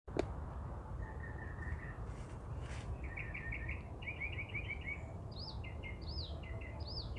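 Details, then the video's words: Songbird singing from a favourite perch in a tree in Los Angeles, Southern California, in April; it sings loudly every day with many songs. Varied phrases: a steady whistled note, quick repeated chirp clusters, then arched notes repeated about every half second over low rumbling background noise. "The balad of the Songbird of Westlake"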